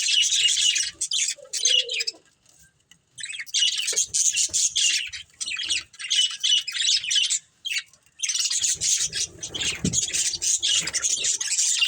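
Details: Budgerigar breeding pair giving bursts of rapid, raspy high chirping and squawky chatter, broken by brief pauses around two, six and eight seconds, with a soft low thump in the final stretch.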